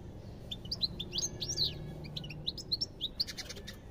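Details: European goldfinch singing a lively series of sharp, high chirps and slurred tweets, evenly spaced at first, then quicker clustered notes, over a low steady hum.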